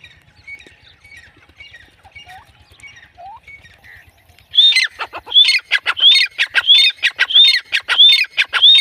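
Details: Female grey francolin, called teetar or Dakhni teetar, in jungle: after four quiet seconds with faint chirps, loud shrill upslurred notes repeat about every 0.6 seconds, each followed by harsh broadband clicks.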